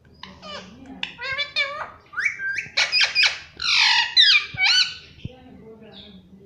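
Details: Talking pet parrot, said to say "mummy" and "papa", in a fast run of varied chattering syllables: harmonic arched notes, then buzzy, broadband bursts and squeaky whistles over about four seconds, indoors with low hum.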